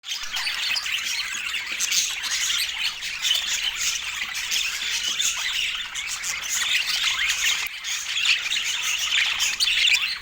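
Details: Budgerigars, kept as pets: a dense, continuous flock chatter of overlapping high squawks, chirps and warbles with no pauses, steady in loudness throughout.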